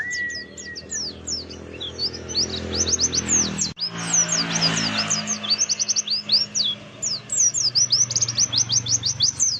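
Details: Oriental white-eye singing in a lure recording meant to prompt other white-eyes to sing: long runs of very high, sharp, falling chirps, with a low hum and a brief steady whistled tone near the start.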